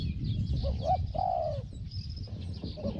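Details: Spotted dove calling in a decoy luring session: a quick rising note, then one long, smooth, gently falling coo, over low rumbling noise with faint high chirps.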